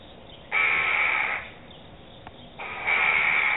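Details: Two adult Eurasian jackdaws give two harsh, drawn-out, rasping alarm calls while defending their young, each lasting about a second with a short pause between, over faint background hiss.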